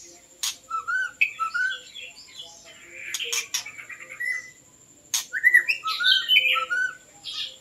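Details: White-rumped shama (Copsychus malabaricus) song used to attract birds: mellow low whistles and higher warbled notes in two bursts. Sharp clicks break in, and a thin constant high whine runs throughout.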